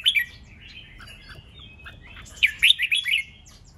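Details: Red-whiskered bulbul song used to provoke fighting and competition in trained birds: a brief burst of bright warbled notes at the start, then a quiet gap, then a quick run of five or six loud slurred whistles.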